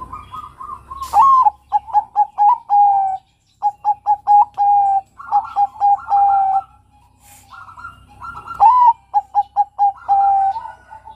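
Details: Young male Bangkok zebra dove sings repeated cooing phrases: an upslurred opening note, a string of short staccato notes and a sustained ending coo. Extra rolling coos overlap between phrases, with a sharp click near the start.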